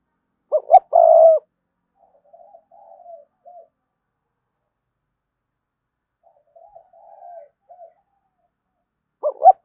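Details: Spotted dove calling to bring rivals in to fight: a loud phrase of two short notes and a long rolling coo, then several minutes-soft murmured coos, with the loud phrase starting again near the end.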